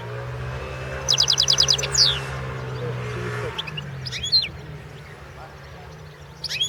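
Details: European goldfinch singing for the 2016 World Championship in goldfinch song: a quick, even trill of about eight high notes, a descending whistled slur, then brief twittering bursts, with a low hum beneath.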